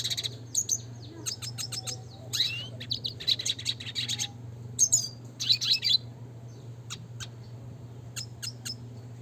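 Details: Red siskin in classic chatty training song: clusters of sharp high chirps and brief buzzy trills separated by short pauses, ending in scattered single notes, with a constant low hum behind.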